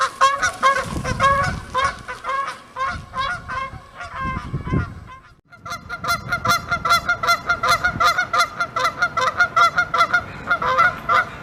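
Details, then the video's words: Canada geese honk in loud, nasal, repeated bursts, about two or three honks a second, several birds overlapping into a steady chorus. "Canada goose honking"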